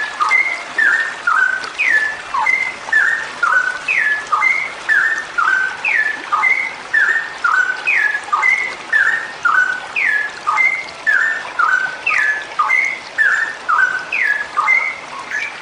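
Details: A female straw-headed bulbul sings a long, continuous run of rich, bubbling whistled phrases, about two a second, each dipping and rising, over a faint steady hiss.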